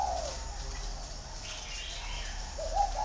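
A green pigeon gives mellow, whistled notes near the start and again at the end, over a low steady background hum.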